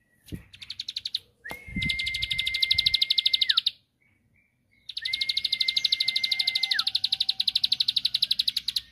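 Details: Provoking song of a bar-winged prinia: long runs of rapid, high, rattling notes lasting two to three seconds. A steady, level whistle-like tone runs beneath each run and drops off at its end. A brief knock opens the recording.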